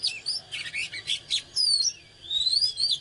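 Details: Oriental magpie-robin singing fired up (căng lửa) while dancing: fast, varied clear whistles, sweeping rising and falling high notes mixed with scratchy bursts, ending in long slurred whistles.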